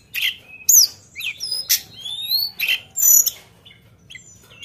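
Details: Sunda bush warbler in full, active song with sharp, shooting fill-in notes: high whistled slurs, rising and falling sweeps and short chips in bursts across nearly five seconds, with little background noise.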